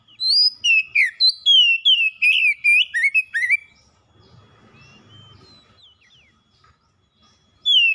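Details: Pet oriental magpie-robin in a cage pours out a fast series of loud varied whistles for several seconds, followed by near silence with faint background noise and a final note.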